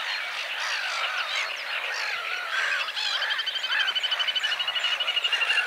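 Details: Little grebe singing on a lake in spring: a jumble of chattering calls gives way to a long, fast, pulsing whinny-like trill held steady near the end.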